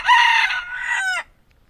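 A red junglefowl gives one short, hoarse crow lasting just over a second. It starts loud and harsh, then ends with a clipped, falling tail, against a quiet background.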